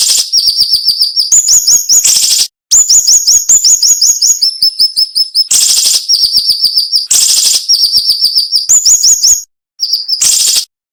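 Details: Cinnamon-bellied flowerpecker tutor song for training songbirds, in a sharp 'nembak' style. Dense, high-pitched strings of quick downslurred ticks change pitch level between phrases and alternate with loud, hissing buzzy bursts, with only brief pauses.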